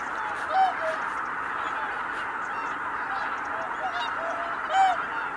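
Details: At Kabukuri-numa on 12 January 2019 a flock of Greater white-fronted geese takes flight at once. Two clear, loud squealing honks open and close the stretch, with steady crowd gabbling between them.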